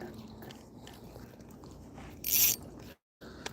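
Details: Quiet background noise is broken by one short, bright splash, followed by a brief dropout to silence, with no animal voice.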